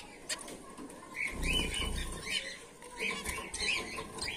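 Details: A colony of white Bengalese finches, males and females, gives overlapping short, high chirps and twitters, with low rustling thumps of wings and movement underneath.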